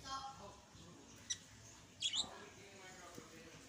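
A budgerigar gives two brief, bright chirps, high and slightly scratchy, over a quiet hiss.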